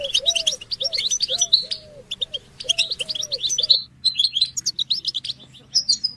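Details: European goldfinches chirping to stimulate caged males to sing: quick twittering phrases over repeated low arched cooing notes that stop midway, then sparse high chips and twitters.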